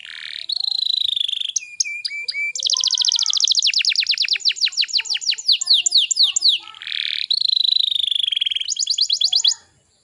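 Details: Canary lure song for young canaries: a high buzzy roll, a few clear whistled notes, then long runs of rapid swept trills, ending with another buzzy roll that fades out.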